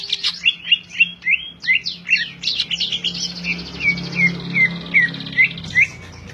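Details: Greater green leafbird, kept in a cage, sings a scratchy chattering opening then a series of clear downslurred whistles repeated roughly every half second, with a faint low hum.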